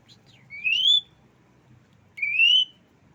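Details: Tame Asian pied starling in active song giving two loud, clear rising whistles, each about half a second long and spaced about a second and a half apart, with quiet background.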